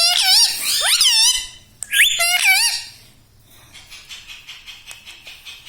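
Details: Talking pet ringneck parrot, green, said to say mummy, papa and radhe radhe; two loud bursts of wavering, rising and falling speech-like syllables, then a faint rapid ticking rhythm.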